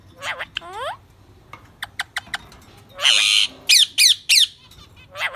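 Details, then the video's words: Happy talking parakeet kept as a pet mixes rising harmonic chirps and quick clicks with loud, harsh, broadband squawks and several sharp chattering notes in quick succession. "So Cute Happy Talking Parrot Singing-Bird Parakeet"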